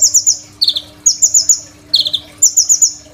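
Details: Crimson sunbird song used to train other birds, recorded on a phone: quick high trills of three or four notes alternating with lower buzzy descending notes, repeated roughly every half second.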